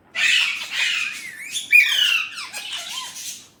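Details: Urdu/Hindi-talking Indian ringneck parrot giving a continuous rasping phrase with gliding, whistle-like inflections that rise and then fall toward the end.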